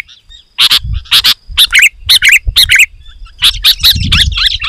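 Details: Sooty-headed bulbul song used as a lure for wild birds: short bubbly two-part chirped phrases repeated about every half second, with a faint steady hum and low rumble.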